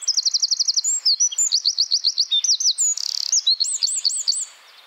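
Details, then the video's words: Eurasian wren song, used as a tutor recording for its sharp notes: a loud, very high, rapid song of fast trills and ringing looped notes, with several phrase types in quick succession within five seconds. "Masteran Tembakan Tajam Eurasian Wren"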